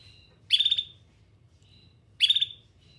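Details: Pet canary producing two sharp, buzzy trilled phrases about 1.7 seconds apart, with a faint steady high whistle before and after each, against a low hum.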